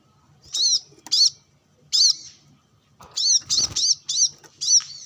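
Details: Brown-throated sunbird sunbathing and calling against rivals with wild birds nearby. Scattered piercing chevron-shaped chirps, first spaced apart, then a quicker run of five or six notes. A faint low hum sits underneath.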